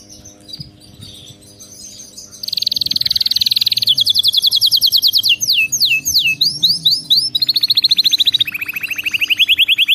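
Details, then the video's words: Canary in full song for training pet birds: a faint start, then loud rapid high trills, a series of swooping downward notes, and a pair of lower fast rattling rolls. "صوت كناري مذهل لتدريب وجعل طائرك الكناري يغرد بلا توقف canary singing training bird"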